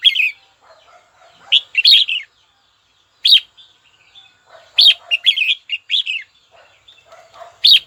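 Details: A red-whiskered bulbul gives a challenging song toward a rival. Loud, clipped warbled phrases come irregularly every second or two, with softer low chatter between them.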